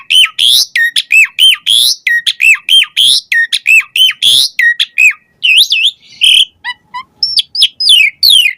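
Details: Asian pied starling song serving as a lure for captive starlings; fast series of loud looping whistled notes repeated about 47 times a minute, then wavering warbles and scratchy chips.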